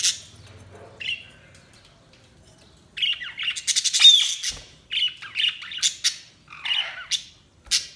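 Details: Budgerigars squawk and chirp in short harsh bursts after a quiet start, the scratchy notes tumbling over one another with brief pauses and a couple of clicks.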